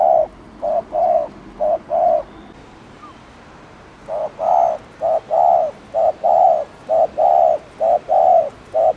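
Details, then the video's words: Spotted dove cooing to provoke other doves: a few paired low coos, a two-second pause, then a long, even run of short-long coo pairs. "CU GÁY GÙ KÍCH MỒI NÓNG MẶT"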